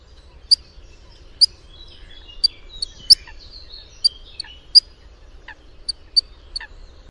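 Eurasian coot giving sharp, high, explosive 'pitt' notes, about a dozen at irregular intervals, with brief thin squeaky calls between them.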